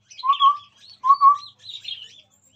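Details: Chestnut-rumped babbler singing in front of a phone: two drawn-out, steady, low whistles about a second apart, with a faint higher twitter above them.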